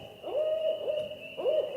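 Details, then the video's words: A female Barred Owl, heard as if in a forest, calling out to other owls, perhaps to a partner: three quick, mellow hooting notes, each swooping up then holding level, over a thin, steady high whine. "that's a female barred owl she's calling out to other owls"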